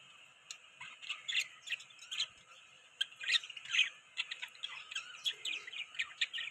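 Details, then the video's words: Several budgerigars chatter at once: busy, high, scratchy chirps and warbles tumbling over one another without pause, with brief squeaky notes in between. "Beautiful Budgies Chirping Sound | Parakeets Budgies Sound"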